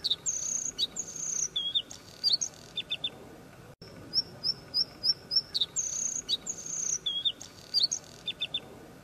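Bluethroat singing varied high phrases of whistles and sharp chirps, including a quick run of ringing, metallic notes, with a faint steady hum behind.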